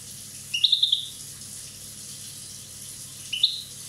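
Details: European goldfinch from Corsica, aged one year, giving a fast run of five or six bright chattering notes, followed after a long gap by a short two-note chirp.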